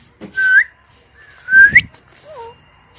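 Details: Talking pet parrot giving two loud whistled notes that rise sharply at the end, about a second apart, followed by a softer falling two-part whistle; quiet room background.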